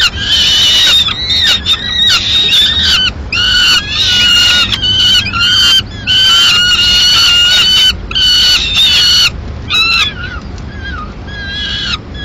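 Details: Peregrine falcons in Madrid, the female landing at the nest with remains of a pigeon for a mid-morning meal; long run of loud, grating wails in clustered bursts, tapering to shorter upward-flicked notes near the end.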